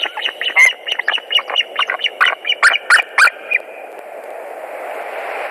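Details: White-tailed eagles at the nest in Latvia, 26 April 2021, afternoon, male arriving after the female with fish: a quick burst of loud, yelping, chattering notes that speeds up and then stops, leaving only background hiss.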